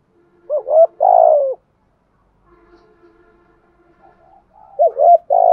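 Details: Spotted dove in the thổ đồng voice style, calling to lure and train other doves: two cooing phrases, each a couple of short notes and a long falling coo, with faint background hum between them.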